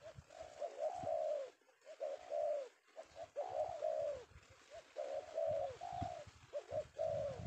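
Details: Spotted dove (tekukur), a male newly caught in Indonesia in the afternoon, cooing in rolling two- and three-note phrases with short pauses between, over faint low thumps.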